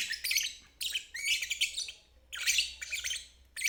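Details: Lovebird singing in the ngeriwik style, played as therapy for stalled birds and fledglings learning to sing: harsh, high, chattering bursts, some long and some short, separated by brief pauses.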